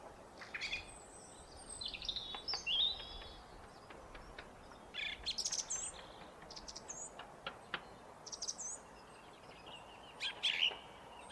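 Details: Song thrush singing on a foggy day near bird feeders: bright, high whistled and chirping phrases with sharp clicks and short trills, in scattered bursts separated by brief pauses over steady low background hiss.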